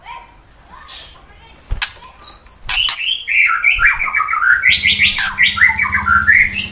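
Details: White-rumped shama, a fighter-style singer used as a lure to make rival birds sing, from Wonosobo, Central Java, Indonesia; varied, rapid whistled and chattering phrases sliding up and down, growing louder, with scattered clicks and a low hum beneath.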